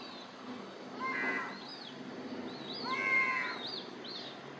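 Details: Herring gull on 8 July 2018 giving two harsh, nasal calls about two seconds apart, with thin, high, arched chirps from other birds over a steady rushing background.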